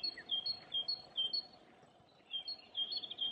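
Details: Great tit singing in spring at a cemetery by Perlacher Forst, Munich, Germany, April 2020: clear two-note phrases, a high note then a lower one, repeated rapidly in two bursts separated by a short pause, over faint steady background hum.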